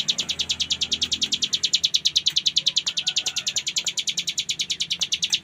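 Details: Cigun prinia delivering continuous 'ngebren' song, recorded as training audio for songbirds: sharp high notes in a regular rapid rhythm, about three each second, with soft clicks and low hum behind.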